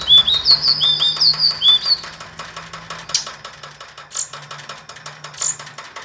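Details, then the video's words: Hill blue flycatcher song for about two seconds: quick, bouncing whistled notes jumping between pitches, followed by a stretch of clicking and rustling noise with a few faint high chips. "burung sikatan ninon/burung sikatan biru muda ngoceh"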